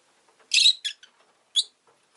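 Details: Short sequence from a Rosy-faced lovebird: one loud grating chirp, a quick softer follow-up note, then a single sharp chirp after a brief pause, in otherwise quiet surroundings.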